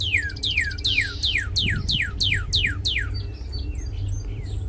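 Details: Red cardinal pouring out nine fast, ringing whistles that each fall steeply in pitch, then trailing off into soft, faint chirps over a steady low hum.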